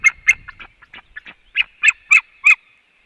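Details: White-tailed eagle pair, male and female, calling at 18:28 as they came home to the nest before leaving it again; a rapid series of loud, high yelping notes, a few quieter ones first, then stronger evenly spaced yelps.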